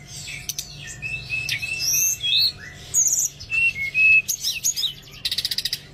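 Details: Oriental magpie-robin song used as therapy to encourage reluctant birds to sing: varied whistled notes around mid-high pitch, sharp chirps and scratchy phrases, ending with a rapid buzzy rattle of repeated clicks.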